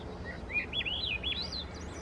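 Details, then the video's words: Wild Swainson's thrush in the Squamish River estuary, its song a rising spiral of looping, fluty whistles that climb in quick succession toward the end of the phrase, with a soft low hum beneath. "Swainson's Thrush Singing"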